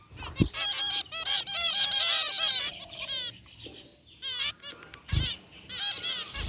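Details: Group of caged zebra finches, white and gray varieties, in an aviary, chirping together: dense overlapping nasal, honk-like beeps with stacked harmonics, a rapid busy chorus with brief low thumps.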